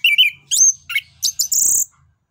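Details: Orange-headed thrush in loud open song used as a tutor and lure for other birds: squeaky whistled notes, a high rising sweep, then a rasping, very high buzzy phrase.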